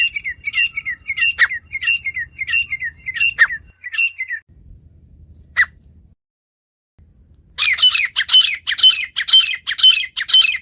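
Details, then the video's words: Wild female partridge giving its natural call: a run of short, clipped, whistled notes repeated about twice a second, a pause with a low hum underneath, then loud harsh rasping calls in quick succession. "مادہ تیتر کی قدرتی پکار"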